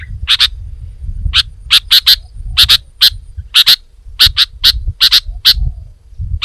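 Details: Sharp clipped notes from a sooty-headed bulbul, singly and in pairs at uneven intervals, against faint low-pitched background noise.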